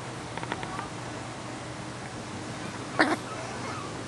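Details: Playful captive blue-throated macaw at ZooTampa, sparring with its keeper, filmed with a Canon Vixia HF R10: faint clicks early on, then a single short, harsh, noisy squawk near the end over steady low background hum.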